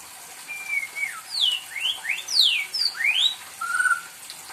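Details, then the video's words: A pet white-rumped shama, described as spoiled, sings eagerly as if asking for company: clear whistled notes, long level and falling whistles mixed with quick steep upward and downward sweeps, varied phrases at a lively, uneven pace. "burung muraiku LG manja..gacor aja minta ditemenin..."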